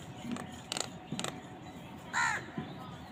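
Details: Crows fighting for food: a few soft, short croaks, then a single loud, harsh caw.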